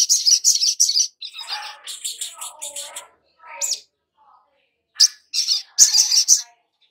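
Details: Long-billed spiderhunter lure song to spur a newly caught bird into steady singing: bursts of rapid, harsh high chips, with a softer, lower, murmuring stretch in the middle before the rapid notes return.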